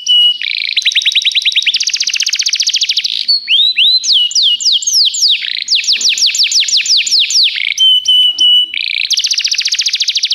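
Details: Belgian canary singing varied phrases: dense buzzing trills, looping whistled runs, and short steady tones, alternating quickly over ten seconds.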